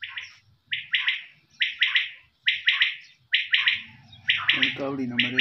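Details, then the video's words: Quail uttering bright, clipped chirps in groups of two or three, repeated about every second, with a lower droning sound joining in toward the end. "Voice of quail's"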